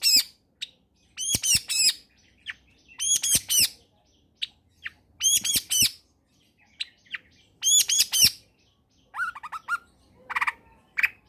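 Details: Long-tailed shrike singing vigorously in a combination lure track for lazy shrikes: repeated bursts of clustered ringing harmonic notes every second or so, scattered single ticks, then lower chattering phrases near the end.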